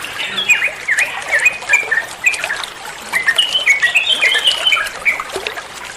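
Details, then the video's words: Training song of an olive-winged bulbul, meant to make other birds answer: bright, jumbled whistles and short slurred notes tumbling rapidly, some dipping phrases, over a soft, trickling background hiss. "Masteran trucuan muantaaap, (burung trucuan anda pasti nyaut)"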